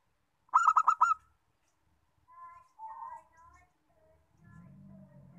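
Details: Local zebra dove, used to prompt other doves to sing, gives one rapid burst of about five pulsed, throaty coos near the start, followed by a few faint soft whistled notes and a low rumbling hum toward the end.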